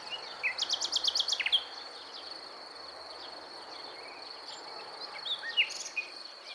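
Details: Nightingale song recorded around Montana, Bulgaria, 23 May 2020: a quick run of about ten dry, sharp clicking notes, followed by scattered brief notes, over a constant shrill cricket hum.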